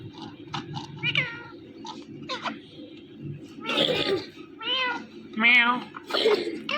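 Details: An Indian ringneck parrot making mating sounds and talking: nasal, mewing squawks and chattering talk-like phrases, roughly one a second, amid repeated "mithu" and meow imitations, over a low steady hum.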